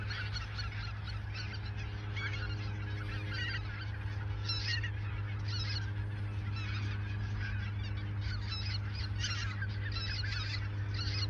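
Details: Geese gathered in the Ochsenmoor nature reserve, autumn 2022, shortly before migration south; many birds honk continuously, with louder bursts standing out every second or two over a persistent low drone.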